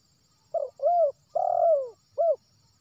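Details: Wild spotted dove from West Sumatra, its call used as a lure for trapping: four mellow, hollow coos, a short note, a longer one, a long drawn-out descending coo, then a short final note, over a quiet background.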